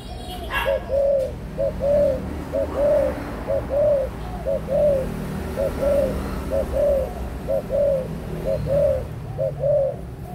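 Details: Mature spotted dove aged 18 months coos rhythmically, brief lead-in hoots each followed by a longer downward coo, about once per second for ten seconds, with a low background hum.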